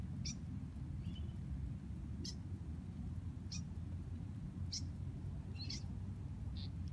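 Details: Wild birds calling from a tree on a college campus: short, high chirps about every second, one with a brief lower twitter, over a steady low rumble.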